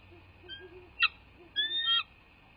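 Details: At a southwest Florida bald eagle nest, recorded by nest camera on 2 January 2024 at 18:07, one eagle gives a sharp short note, then a long piercing whistled note that wavers slightly, over soft low murmurs and a constant high hum.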